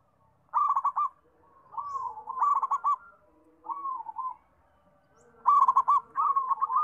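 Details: A zebra dove calls busily. Short, quick, trilled cooing phrases come in separate bouts, with a few smoother drawn-out coos between the staccato runs.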